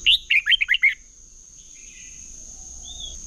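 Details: Red-whiskered bulbul competitive singing, recorded for training birds: a quick run of five or six chirpy, down-slurred whistles in under a second, then quiet hiss with a faint thin note.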